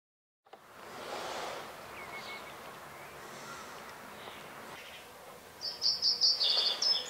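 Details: Common reed bunting singing in May 2021 at Spijkenisse, the Netherlands; after several seconds of faint background hiss, a short high phrase of about six bright chipping notes in quick succession ends with a brief thin note.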